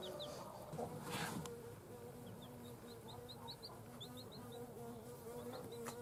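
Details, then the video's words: Just-born chicks after hatching, peeping in a quick run of short, high, falling notes, faint against a steady electrical hum and some low rumbling noise. "JUST BORN "Chicks Chirping" Sounds"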